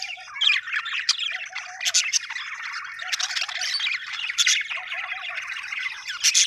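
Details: Budgerigar chirping happily, quick squeaky warbles and grating squawks in overlapping bursts, a few sharp clicks mixed in.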